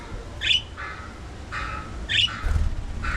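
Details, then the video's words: Budgerigars in an aviary colony: harsh buzzy squawks alternating with flatter chattering notes, loud and close, over a low rumbling background. "Budgies Unfiltered: Fun, Love, and Tiny Tussles!"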